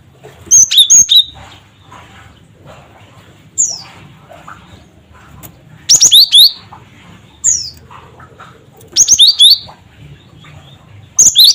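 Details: Cinereous tit giving cret cret wucit calls meant to provoke other birds into calling, in bright high whistled bursts of three or four notes roughly every one and a half seconds, some single downslurred notes between them.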